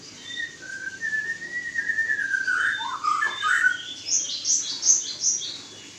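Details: Oriental magpie-robin during a mating pairing, giving long clear whistled notes that slide and waver, followed by a burst of high, rapid chirping twitters.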